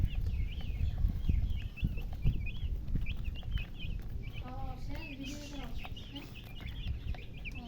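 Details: Chicks keep up a stream of short high chirps while a low, humming, voice-like sound briefly rises midway, over rumbling background noise.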